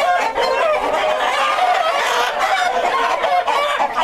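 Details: White Rock chickens, a white variety of the Plymouth Rock, in a breeder flock kept for hatching eggs: a dense, continuous din of overlapping clucks and squawks from many birds at once, steady and loud throughout.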